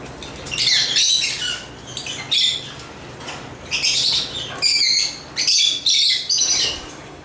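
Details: African lovebirds chirping in bursts of high, harsh, buzzy twittering between about 2 and 8 kilohertz, separated by short pauses, several birds seemingly overlapping.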